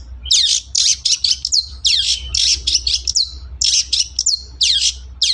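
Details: Long-tailed shrike singing vigorously, a recording meant as a lure to spur reluctant shrikes into song: dense bursts of harsh, buzzy notes and quick downslurred squeaks, high-pitched, packed almost without pause, with a faint low hum beneath.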